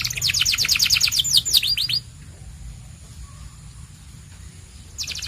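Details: Two seconds of rapid, bright white canary trilling ending in a few sweeping notes, then near silence with faint hum before the trill briefly starts again.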